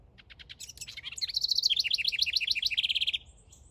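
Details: House wren male, building a nest in a backyard that the female will inspect, sings a bubbling song: a few quick introductory notes, then a rapid rattling run of high buzzy trills lasting about two seconds.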